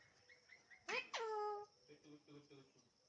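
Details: Alexandrine parakeet talking: two loud, harsh harmonic syllables, the second drawn out and sliding downward. Soft murmured sounds follow and fade out.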